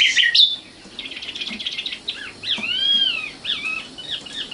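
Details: Young common nightingale, known locally as sikatan londo, giving a softer varied song: a sharp opening chirp, a slurred buzzy stretch, then a long clear arching whistle and a few scattered short notes.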